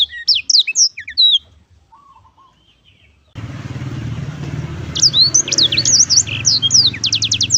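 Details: Black-throated canary giving short bursts of high chirping song, first in quiet then over a steady low rumbling background noise, ending with a quick rattling series of notes.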